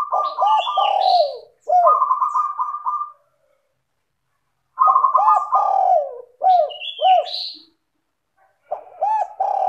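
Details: Zebra dove song used to lure other doves into singing: loud, clear, rapid trilled coos with rolling notes in two bursts, a brief higher whistle in each, separated by silence.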